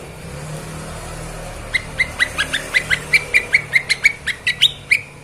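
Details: Lesser green leafbird (cucak ijo mini) in a master recording for training songbirds, in the lively narung style. After a quiet start, sharp chipping notes repeat quickly, each about a fifth of a second apart, with faint higher flicks.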